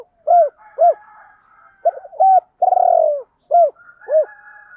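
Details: Spotted dove call meant to lure wild doves: arched mellow coos and one long, rough, buzzing coo that drops at its end, with faint higher overtones and no other sounds.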